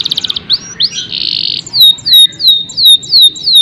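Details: Canary song: a fast buzzy trill, then a steady sustained tone, followed by a series of loud whistled notes that each drop sharply in pitch, repeated about every third of a second.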